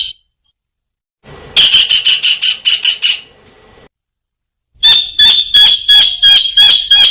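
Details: Kingfisher calling vigorously: an opening note, silence, a buzzy rapid burst of harsh notes, a pause, then a run of loud, evenly spaced shrill squawks.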